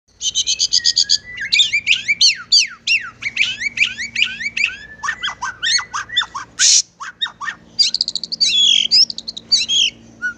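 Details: White-rumped shama; song; lure song to prompt other birds to sing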